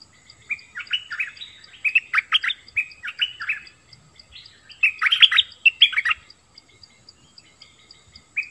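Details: Bulbul delivering rapid, cheerful warbled phrases of sliding chirps, a short pause, another dense burst, then quieter with one final note.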